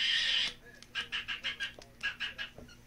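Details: Green-cheeked conure kept as a pet, meeting cockatiels for the first time: a loud, harsh squawk is followed by a quick run of short, rasping chattered notes.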